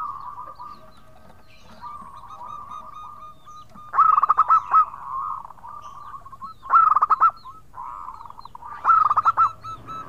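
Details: Local zebra dove singing actively in the 'khong crewet' style, calling to companions: three loud bursts of rapid, pulsed cooing notes, each under a second, over a steady, fainter background of cooing.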